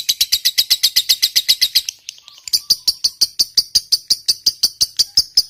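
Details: Lovebird of the fighter type singing a long ngekek trill: rapid, evenly repeated high chattering notes, about two per second-fraction, broken by a brief pause near the middle before resuming.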